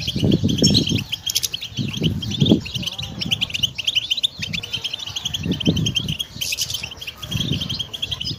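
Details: Goldfinch song for training: continuous high, bright twittering and chirps, accompanied by repeated deep, soft rumbling or cooing sounds in the background.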